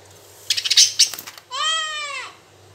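A budgerigar gives a burst of scratchy, clicking chirps, then one drawn-out tonal note that rises and falls.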